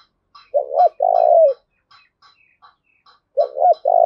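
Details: A spotted dove used as a decoy, cooing to spur fighting: two low phrases, each a quick two-part coo running into a long sliding coo, with faint ticking clicks in the background.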